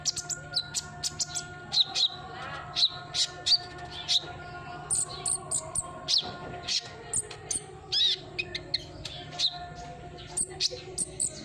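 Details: Sunbird song meant to stimulate a silent bird into singing: dense, busy stream of high chips, twitters and short trills repeated almost continuously for about eleven seconds, with faint steady tones and hum in the background.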